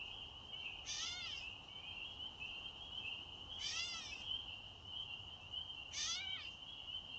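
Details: Catbird giving cat-like, baby-like mewing calls recorded on 1 May 2024: three downslurred, nasal mews spaced about two and a half seconds apart, over a steady high-pitched background whine.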